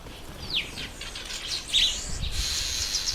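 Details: High chattering from a red bishop in breeding season: quick downslurred chips followed by a harsh, grating buzz that continues to the end, with faint low rumbling underneath.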